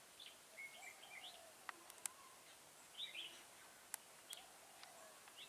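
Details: Red-whiskered Bulbuls around a trap with a lure bird at Chùa Hương, Vietnam, 28 October 2017: quiet bursts of warbled, whistled notes every second or so, with sharp clicks and outdoor hiss.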